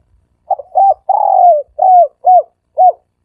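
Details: A dove coos in a soft, low, hollow phrase of about six notes over three seconds, with one longer drawn-out coo in the middle, against a quiet background; the recording is meant for luring doves.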